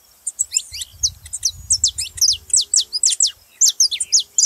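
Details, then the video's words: Saffron finch singing to stir other caged birds into song: loud, high, clipped chirps delivered in quick irregular bursts, with a faint low rumble in the background. "canário da terra pra foguea seu canário frio"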